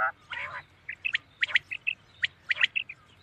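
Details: At night a common quail gives rapid clusters of short whistled notes, mostly in threes, interspersed with broader scratchy bursts, the phrases following one another with barely a pause.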